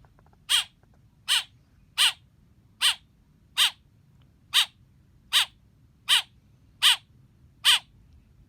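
A young blackbird gives harsh, high, scratchy chirps, one about every three-quarters of a second, eleven in a row, with nothing else heard.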